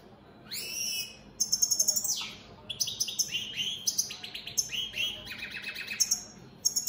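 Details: Opal split Satane European goldfinches in full song: a rising whistle, a falling slurred note, then a long, fast, liquid twittering sequence of ringing, buzzy notes.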